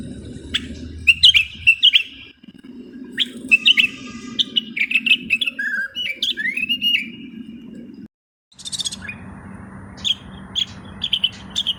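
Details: Moroccan common bulbul singing: bursts of clear whistled phrases and slurred notes, some sliding downward, broken by brief pauses, with sharp clicks, a steady low hum underneath and a short gap of silence near the end.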